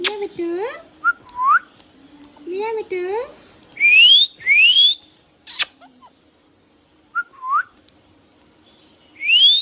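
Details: Tame green parrot kept at home: curling harmonic talk-like notes, short upturned chirps and bright rising whistles repeated in clusters separated by pauses.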